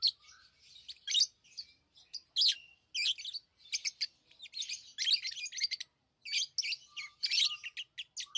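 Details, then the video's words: Lovebirds calling in near-continuous shrill chatter, quick buzzy chirps and clicks in dense runs, with a couple of short thin whistles. "Love birds Sounds | lovebirds chirping sounds"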